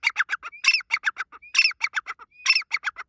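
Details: Grey francolin (teetar) at the start of the breeding season gives loud, harsh, clipped notes in quick rhythmic phrases, each opening with a thin rising whistle, repeated about every second; nothing else heard.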